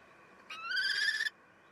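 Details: Common kestrels at a nest during the 12:45 feeding in May, when the male steals food. A single loud, harmonic call about a second long rises slightly, then holds steady before stopping abruptly over a quiet background.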